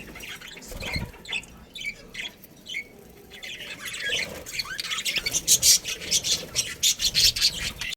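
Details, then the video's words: Budgerigars in a breeding colony, soft scattered chirps at first, then rapid, rhythmic high squawking chirps grow louder and denser in the second half. "Cute Budgies Chirping Sounds"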